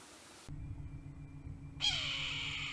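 A Red-tailed Hawk gives one harsh, raspy shriek that slurs downward and is cut off after about a second, over a steady low hum.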